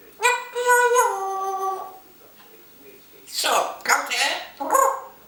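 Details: Pet African grey parrot, kept indoors and recorded by a hidden camera, produces a long voice-like phrase, then after a pause three brief breathy, chattering speech sounds in a small room.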